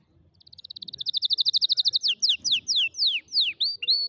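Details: Canary song used for teaching young canaries to sing. A fast, even trill of high notes speeds up and grows louder, then gives way to slower, sweeping downslurred whistles.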